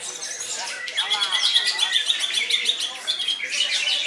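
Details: Cucak ijo, the greater green leafbird, pouring out koncer song: a dense rush of rapid high chirps, buzzy trills and whistled slurs that swells in loudness after a softer start.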